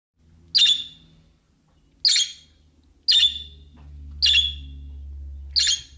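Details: A pet budgerigar that does not talk gives short, harsh, high chirps, repeated roughly every second and a half.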